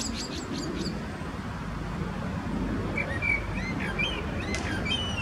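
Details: Male common blackbird song from Zurich canton, Switzerland, 21 February 2017: a quick series of sharp high notes opens, then a short mellow fluted phrase with squeaky trills follows, all over steady low background noise.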